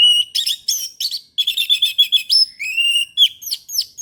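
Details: Orange-headed thrush in morning song, delivering a dense varied stream of sharp chirps, rapid trills and sweet whistled slurs that rise and fall without break.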